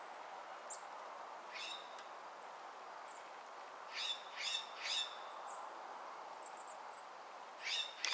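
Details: Golden-crowned kinglets, very active in a yard in Corvallis, Oregon, giving very high, thin, lisping tsee notes, some in quick clusters, with a few lower buzzy notes over a steady background hiss.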